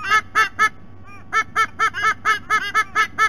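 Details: At a nest in Sydney Olympic Park, Australia, adult White-bellied sea eagles give loud honking notes; three calls, a short pause with a faint fainter note, then a quickening run of about ten more honks.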